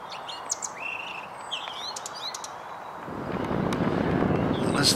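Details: Eurasian blackcap (Sylvia atricapilla) singing while flitting about hidden high in a tree on a foggy morning near a lake with nesting swans and crows: quick, varied warbling whistled phrases fading after about three seconds under rising wind or handling noise, faint voice behind.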